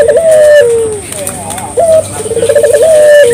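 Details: Clear local collared dove cooing, used as a lure at any time of day: a long level coo falling away at the end, then a rolling pulsed phrase that climbs into a held note. Low-pitched and soft.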